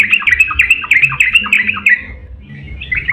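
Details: Yellow-vented bulbul song meant to excite other bulbuls into singing: a quick burst of chirpy, warbling whistled notes for about two seconds, then a pause and a softer fragment, with low background hum.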